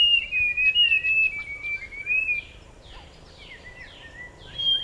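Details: Forest scrub robin (Cercotrichas leucosticta) with a varied, wavering whistled phrase sliding gradually lower, followed by quieter rapid downslurred chirps and a final high whistle.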